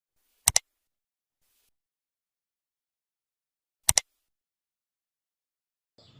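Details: Two sharp double clicks, like a camera shutter, about three seconds apart in otherwise near silence, with a faint rustle at the very end.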